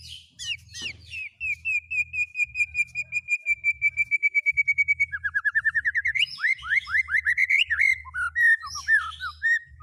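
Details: Mimicking white-rumped shama whose fills copy cililin, canary and lovebird: sharp opening notes, then a long even rattle of rapid repeated notes held for several seconds, then faster descending buzzy slurs. A low hum sounds in the background.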